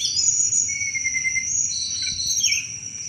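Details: Sunda robin (tledekan gunung) in busy 'cetrekan' chatter, meant to attract thrushes: a long thin whistle then high sliding and twittering notes, over a constant shrill high-pitched drone.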